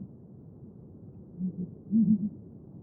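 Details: Southern ground hornbill (Bucorvus leadbeateri) giving deep, low booming notes: one soft boom, then a quick run of three louder ones, over a faint background hiss.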